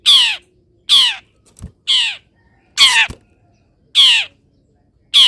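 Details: Long-tailed shrike kept in a cage, calling in morning sun after being misted; loud harsh grating squawks repeated about once a second, with a faint click between them.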